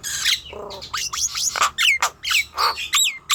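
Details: Nias hill myna calls used to lure young, raw or lazy birds into song: rough squawks, a low buzzy note, and sharp descending whistles in a fast irregular series.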